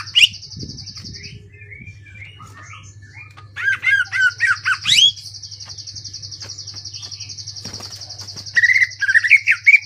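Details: Greater green leafbird giving short, harsh bursts of rapid slurred whistles separated by quieter gaps, ngentrok style, ending in a fast trill-like run; steady high buzzing drone and low hum throughout.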